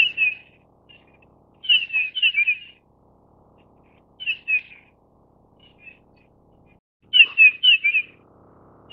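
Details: A grey-headed bullfinch of the Taiwan-endemic subspecies Pyrrhula erythaca owstoni, found only in Taiwan's high mountains above 2000 m, gives short bursts of two or three soft, falling whistled notes every few seconds over near silence.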